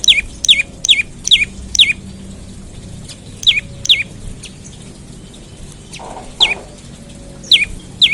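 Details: Olive-backed tailorbird in the morning, a lure to set other tailorbirds singing: loud, crisp downswept chirps in quick runs of two to five notes, with a few seconds of quieter pause midway.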